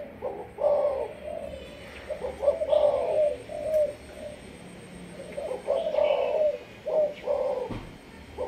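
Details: Malaysian spotted dove kept for decoy training, voicing its sấm thổ coo: two separated bursts of rolling, soft coos, each a cluster of three or four notes with a longer final one, and a quiet high chirp in between.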